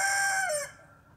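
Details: Tail end of a rooster's crow: a loud, buzzy, harmonic note that drops in pitch and cuts off within under a second, then quiet.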